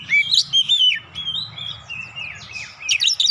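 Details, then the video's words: Agitated oriental magpie-robin, used to provoke birds into singing, delivers continuous warbling of sweet slurred whistles and quick chirps, loud at first then softer, with a steady low rumble behind. "PANCINGAN Kacer langsung naik emosi ngotot bongkar isian"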